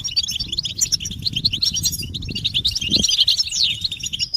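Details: Massed European goldfinch mating and readiness calls intended to stimulate males to sing: busy, high, jingling twitters overlap throughout, with a short rising sweep late on and a soft low thump midway.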